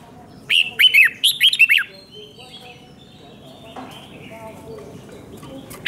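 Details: Song of a red-whiskered bulbul, a Thai five-syllable pattern used to train young birds: one quick burst of five lively, looping whistled notes, followed by a few seconds of quiet background.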